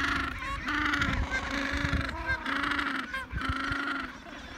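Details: Chinstrap penguin chicks following a parent for food give harsh, honking begging calls, several voices overlapping in near-continuous bursts with only brief pauses.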